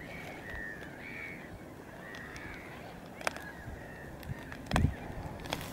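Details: Caspian gull at Lac des Varennes, Marçon, Sarthe, on 9 March 2016: a series of drawn-out, nasal, slightly arched calls, the first few close together, then fainter ones, over steady low rumbling wind and a few sharp thumps near the end.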